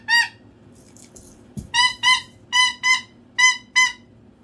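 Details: A male cockatoo making noise for attention gives loud, harsh, nasal squawks in pairs, about eight short blasts in four seconds, with a brief thump partway through.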